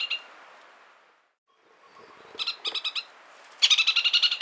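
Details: Chatham Islands parakeet giving short bursts of harsh, rapid chattering notes, a few quick notes then a longer rolling run of about nine evenly spaced high notes after a brief quiet gap.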